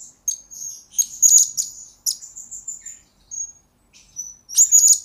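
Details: Blue-crowned hanging parrot, recorded as a lure and training master: thin high sustained whistles broken by dense bursts of sharp, very high chirps and buzzy trills.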